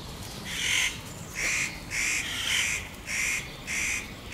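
Spotted nutcracker giving harsh, rasping, crow-like calls: six grating squawks in about four seconds, spaced unevenly, against a quiet background.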